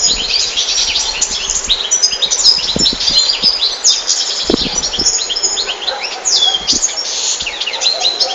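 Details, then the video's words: Goldfinch song: a dense, lively stream of high chirps, liquid twitters and short buzzy trills running without break, with occasional soft low thumps in the background. "Goldfinches(carduelis) Amazing Singing Compilation"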